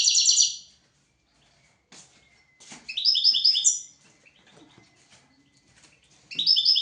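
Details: European goldfinch singing on a recording meant to teach goldfinches and canaries: a rapid tinkling trill, a pause with soft ticks and a faint thin whistle, then two more quick twittering phrases.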